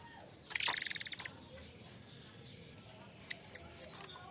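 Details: Murai air mancur in active song, presented as a lure sound for training: a rapid buzzy rattle of about a dozen pulses, then quiet, then three short high whistled notes spaced evenly.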